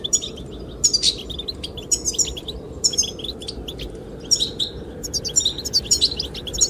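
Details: Goldfinch song, sung to attract the female: bright, high chirps and quick twittered phrases about once a second, set against a constant wind rush.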